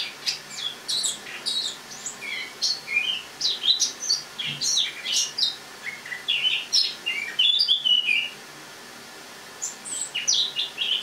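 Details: Eurasian blackcap in a cage, singing in autumn in a kitchen on the morning of 1 October 2017; varied twittering and looping whistles, interrupted by a silent gap of about a second before resuming.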